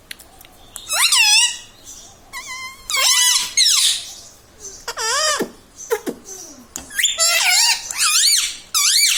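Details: Household ringneck parrot saying mummy, papa and radhe radhe; repeated loud, shrill, wavering word-like squeaks in close bursts throughout, indoors.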